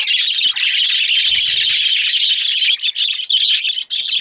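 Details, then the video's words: Excited budgies keep up a continuous high-pitched chatter of overlapping chirps and warbled notes, with a few short dips in the din near the end. "Excited Budgies/Parakeets"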